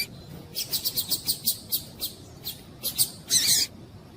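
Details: A female double-collared seedeater calls to warm up a male. Short, high chip notes repeat about every quarter second, ending in a longer harsh burst, over background hiss.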